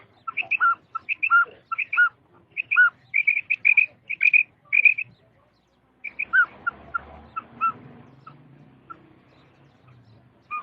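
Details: Female quail giving quick bursts of short high notes, often in pairs. After a brief silence, sparser lower chirps follow over a soft murmuring background.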